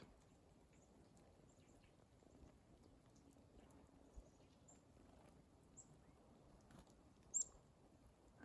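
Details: Black-capped chickadee among a flock of about a dozen at a winter morning feeder in the Adirondacks: brief, very high single-note contact calls ("I am here, where are you"), scattered and mostly faint, over low rumble.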